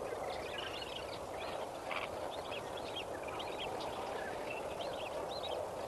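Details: Flock of lesser flamingos at Kamfers Dam around sunrise, 18 May 2024, giving repeated short honking calls that overlap in a continuous chorus above constant rushing background noise.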